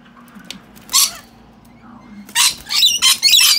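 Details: Wild rescued baby rainbow lorikeets, two birds, bathing in a caged drinking-water dish; after soft splashing, harsh rasping screeches arrive, one early and then a rapid cluster of three or four grating bursts near the end.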